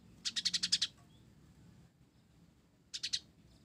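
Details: Blorok-type sunbird in full, active song with sparrow-like phrases worked in: a fast buzzy trill of about seven high notes, then a short three-note burst after a pause, over faint low background hum.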